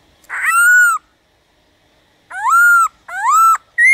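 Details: Black-throated laughingthrush singing to stimulate other birds to sing: a long, loud whistled note that rises and then holds, a pause, then two clear arched whistles and the start of another.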